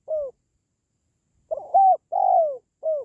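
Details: Spotted dove coos, a call for lifting the spirit of pet doves or luring wild doves: a falling note ending one phrase, a pause, then a full four-part phrase of stuttered start, steady hoot, long descending coo and short final coo.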